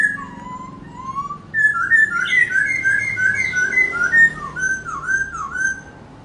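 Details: Laughingthrush, dancing as it sings: soft low whistled slurs at first, then a loud, fluid stream of rising and falling warbled whistles, ending in wavering downslurred notes.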